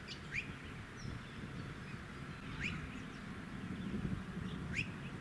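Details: Male Rainbow bee-eater perched on power lines in a suburban area of Tin Can Bay, Queensland, September 2017: three short, sharp upslurred trilled calls spaced about two seconds apart, over steady low wind and suburban rumble.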